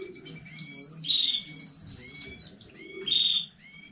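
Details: Home-bred canary recorded 15 May 2019 sings a long, high, rapid trill, a loud whistled note, then spaced rising chirps and a final bright burst before easing off.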